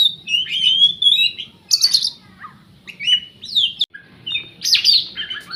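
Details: Kacer, or Oriental magpie-robin, a Riau contest bird never defeated at provincial auditions, gives clear sustained whistles, fast buzzy trills and swooping notes in separate bursts, with a steady low murmur behind.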